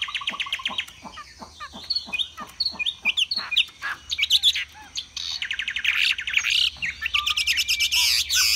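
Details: Chinese hwamei kept in a cage, fanning out in display and singing high: low whistles and sharp clicks at first, then varied loud phrases building into a long, rich, rapidly repeated trilling passage.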